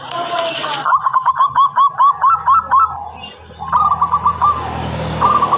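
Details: Local zebra dove in full, clear song used as a lure: a long run of quick pulsed coos, then a second shorter burst after a brief pause, over a steady low rumble; a noisy hiss opens the recording.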